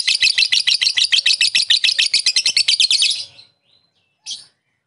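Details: Lovebird call used as a lure to provoke a rival lovebird into calling back and into ngekek: a fast, harsh, high chattering run of about twenty rapid notes lasting three seconds, then silence and one short extra burst.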